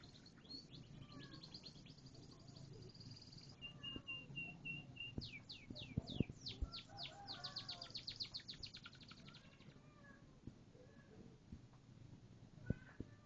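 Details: Canary singing a rapid series of high, descending trilled notes, one long run of quick sweeps followed by a steady repeated note, then a dense fast trill, with faint low background hum and soft murmuring.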